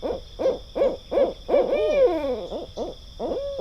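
Barred Owl giving a rhythmic series of deep, resonant hoots, about eight in quick succession, with a long drawn-out downslurred note near the middle; a faint steady high hum underneath.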